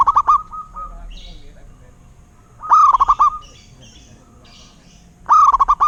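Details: Zebra dove, the local perkutut, repeating its cooing phrase roughly every two and a half seconds. Each phrase has a long note and then a rapid string of clipped coos, with soft chirps from other birds in the gaps.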